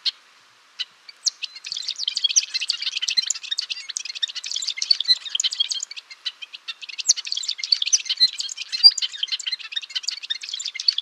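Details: A golden-rumped euphonia delivers a long, steady stream of fast, high, chattering twitters, broken by one brief pause before resuming just as densely.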